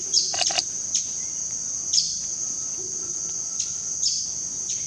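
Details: Fiery topaz recorded near Tena in the Ecuadorian Amazon, giving short, sharp, high chips at irregular intervals, roughly one a second, over a steady high-pitched insect drone.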